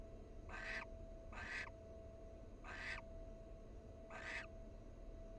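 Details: A wild barn owl at a nest box, where a male preens his mate's feathers, gives short, harsh hissing bursts, repeated about every second and a half.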